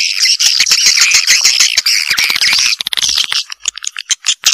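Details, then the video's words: Swiftlets in a janda Vietnam lure sound: harsh, squawky chattering and buzzy twitters pour out rapidly, about three bursts a second, then thin out into separate clicks and chirps. "SUARA WALET JANDA VIETNAM"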